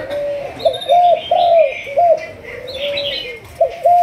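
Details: Malaysian spotted dove of the 'thúc gù' strain in decoy training. It coos in low, even, rolling notes that rise and fall in a wavering series, accompanied by bright twittering of small birds nearby.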